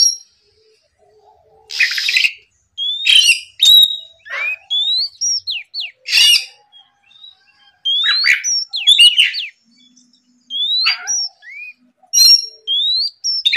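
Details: Morning song of an Oriental magpie-robin, used to stir rival birds: brief whistled phrases with rising slurs separated by pauses, interrupted by several loud, raspy noise bursts.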